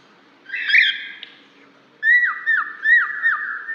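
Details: One cockatiel calls another to help attract a lost bird: a harsh rising-and-falling screech, a pause, then a quick series of repeated whistled notes, each dropping in pitch, about five in under two seconds.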